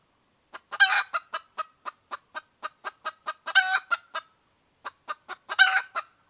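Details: Calling female red junglefowl, 2021: regular short clucks broken by three loud, raspy, drawn-out cackle notes, with a brief pause before the last.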